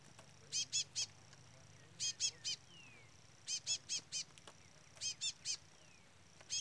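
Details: A chestnut-bellied seed finch chick peeps without pause next to a brown-plumaged bird. Very high, sharp peeps grouped in threes and fours, spaced about a second and a half apart.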